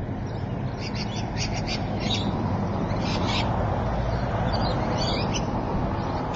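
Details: Rainbow lorikeet calls at Evans Head, 26 May 2012, 3:45 PM: short bursts of harsh, rasping screeches in quick runs, then a twittering squeal, over heavy low rumble.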